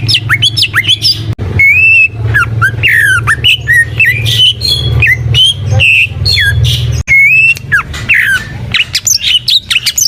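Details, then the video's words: Greater green leafbird pouring out loud, varied song of squeaks, slurred whistles and sharp chips, almost continuous, over a steady low hum in the background. "Suara Burung Cucak IJO FULL Gacor"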